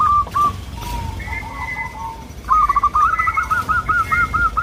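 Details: Local zebra dove, soft-voiced, song used to lure other doves: scattered coos and fainter lower calls, then a fast, rapidly repeated run of bright rolling notes at the end.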